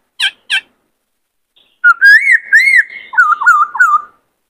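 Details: White-cheeked laughingthrush, a caged male singing and dancing during training of a young bird: two short sharp notes, then a long, rich, warbling whistled phrase rising and falling, ending in quick undulating whistles.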